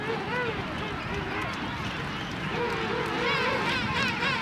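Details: A din of many overlapping calls from a king penguin colony on South Georgia: wavering, trumpeting phrases that rise and fall in pitch, over a steady rush of wind.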